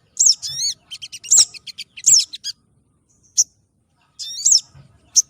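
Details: Lure recording of white-crested laughingthrush (sogon trotol) for trapping wild birds: shrill, squeaky chirps run together with a quick twittering series, then pauses broken by lone high pips.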